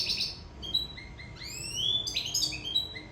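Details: Sicilian European goldfinch singing in love: bright, rapid twittering of high chirps and upward-sweeping whistled notes, with a faint steady hum underneath.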